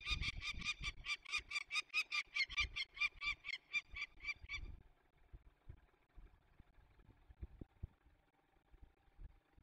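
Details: During the release of young peregrine falcons in the Barycz Valley, Poland, on 27 May 2020, a loud, steady run of about sixteen harsh notes, roughly three per second, then stops abruptly, leaving quiet background rustling.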